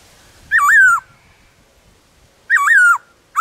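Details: In the wild forest, a black-throated laughingthrush from a many-voiced singer repeats a loud wavering whistle twice, two seconds apart. Each phrase dips, rises and then glides down, and a third phrase begins at the close.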